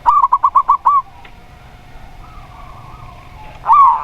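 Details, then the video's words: A local zebra dove gives a fast run of six or seven clipped, bubbling coo notes in about one second, then a quiet pause before another coo begins. "Perkutut Lokal Suara Plong"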